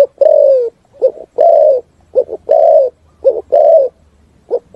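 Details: Echoing forest song of a spotted dove, phrases of short double coos alternating with long, smooth, slightly falling coos, repeated roughly once a second.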